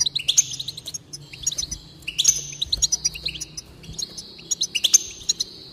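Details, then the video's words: Goldfinch singing to encourage another bird: repeated bursts of quick high twitters and liquid chirps roughly every one and a half seconds, over a faint low hum. "increase the enthusiasm of the goldfinch and encourage it to song"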